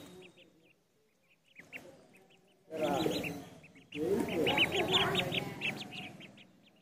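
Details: Duckling at a pond giving bursts of short, high peeps in quick series, quiet at first and then loud and dense, with rougher lower sounds underneath.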